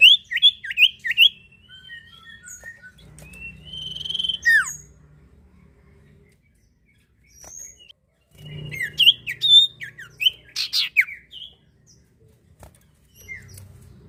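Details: Common iora song meant as a lure to get other birds singing: clusters of sharp rising and falling whistled notes, a long drawn whistle, a quiet gap, then a busy burst of varied chips and whistles, with faint low hum.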